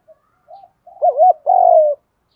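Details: Spotted dove cooing, cock and hen, used to rouse trained birds: faint soft notes building into a wavering double coo and a long steady low coo.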